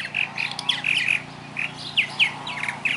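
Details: A swan goose in a back yard, being played with, gives about eight harsh, nasal squawks in quick uneven bursts, some doubled, over three seconds.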